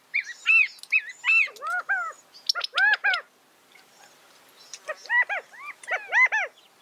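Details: California quail calling: loud, harmonic, arched notes delivered in quick bursts and short phrases, some grouped in threes, separated by a brief quiet pause midway, with softer high chirps mixed in.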